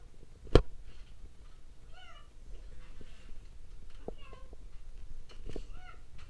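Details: Pet parrot indoors, one of two kept birds, talking during a training session: three short, clear harmonic utterances with curving, bending tones spaced a couple of seconds apart, over a low room hum and soft taps.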